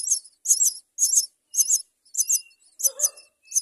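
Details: A Common Myna chick, fed by its mother as she brings it food, begs with harsh, raspy, high hissing calls about twice a second; one lower, throaty note is heard near the end.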